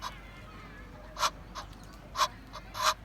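Egyptian goose giving harsh, hoarse honks in quick uneven bursts, five within two seconds, over a low steady background hum.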